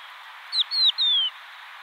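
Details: Crested lark giving three clean whistles: a short one dropping sharply, a longer level note ending in a drop, and a long gently descending whistle, against steady hiss.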